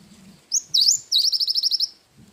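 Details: Cinereous tit in active song with a 'wingko' fill style, recorded as master training audio: a sharp high whistled note, then a fast run of about eight repeated high whistled notes, with a faint low rumble in the background.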